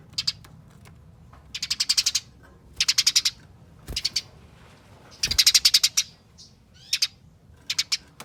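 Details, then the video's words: Eurasian tree sparrow fighting chatter, used as a lure to draw other sparrows into calling: harsh, fast, buzzy chirps in bursts of several notes, separated by short gaps, with a couple of sharp knocks in between. "Pancingan Gereja Tarung Nyerecet Speed Rapat Bikin Gereja Lain Ikut Bunyi Gacor"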